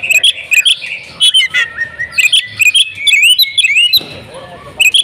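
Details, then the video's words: Oriental magpie-robin in agitated fighting song, delivering quick whistled phrases with rising slurs, high thin squeaks and short harsh notes in bursts, a brief lull near the end before further notes. "kacer tarung full ngotot"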